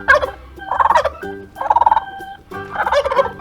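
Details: Turkey giving three quick rattling gobbles, each a short trembling burst, spaced roughly a second apart, with light children's music playing underneath.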